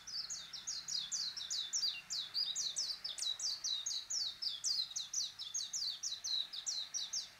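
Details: A Warbling white-eye sings a fast, continuous run of high, thin twittering notes, about three per second, tumbling on without a break over a faint background hiss.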